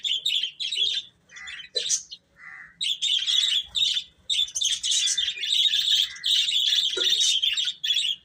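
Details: Chicks chirping loudly and continuously, with high, piercing peeps merging into long unbroken runs in the second half and a lower short note near two seconds.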